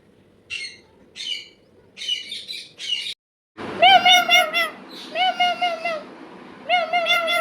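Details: Talking parrot: four rasping, noisy squawk bursts, a brief pause, then several voice-like phrases with a wavering, speech-like tone in short syllables, each separated by a small gap.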